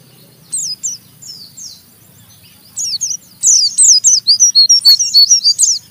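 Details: Oriental white-eye in rough ngeriwik chatter, provoking another white-eye to join in: a few isolated high squeaky notes, then a dense burst of quick, sharp, high-pitched chirps repeated several times a second.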